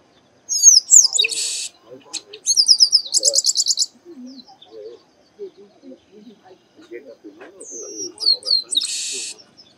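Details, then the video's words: Singing chestnut-capped blackbird in the sertão of Bahia, Brazil's Northeast: two buzzy rasping bursts with rapid trilled chips between, scattered soft lower chatter, then whistled slurs and a final buzz. "Canto Do Garibaldi"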